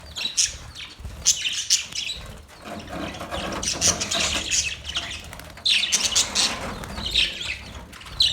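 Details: Budgerigars chirping: dense, scratchy high warbling in overlapping bursts, with short bright squeaks and little pauses between phrases.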